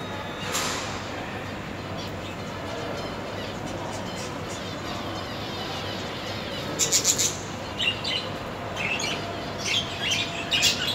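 Lovebirds give shrill, harsh chirps in quick clusters, one early and several in the last four seconds, over a steady background hiss and low hum.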